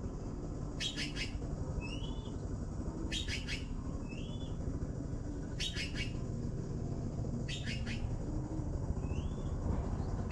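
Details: Young blue magpies waiting to be fed: four clusters of rapid, harsh, buzzy chirps about every two seconds, each followed by a short upward-sliding whistle, over a continuous low rumble.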